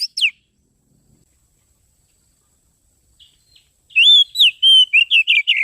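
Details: Oriental magpie-robin lure song used to attract birds: two brief falling whistles, a long quiet gap, then a fast run of warbled and trilled whistled notes.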